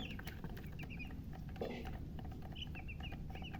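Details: Just-born baby chickens chirping: scattered high, short slurred peeps, some in quick pairs, with a dull thump and a steady low rumble beneath.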